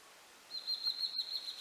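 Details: Blue-and-white flycatcher singing: a single sustained, clear high whistle held steadily for over a second with slight wavering, rising out of a quiet outdoor background.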